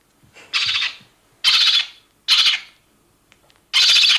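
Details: Alarm calls from a two-to-three-day-old lesser black-backed gull chick on Walney Island, four loud raspy squeals in irregular succession, each short and broad-toned, with faint rustling between them.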